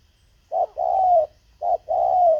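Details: Decoy spotted dove calling to lure wild birds. Two pairs of low, hollow coos, each a brief note followed by a longer, steady, slightly falling coo, with a quiet background.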